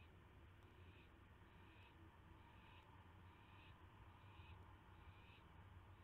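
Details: Owl receiving a mouse at 9:38 PM on May 9, 2016, filmed by a live camera: a series of about six short hoarse hissing screeches, each under a second, against a continuous deep rumble.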